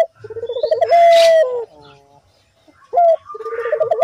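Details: Strongly calling collared dove for luring doves to call: a pulsing low coo swelling into a loud sustained note, a pause, then a sharp upward note and another quick throbbing run, with a noisy high burst overhead.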